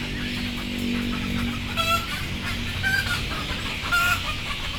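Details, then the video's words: Sleepy, frightened chickens about to be loaded on board: three short tonal squawking calls about a second apart, set over a steady low hum and constant broadband background noise. "Sound of sleepy Chicken"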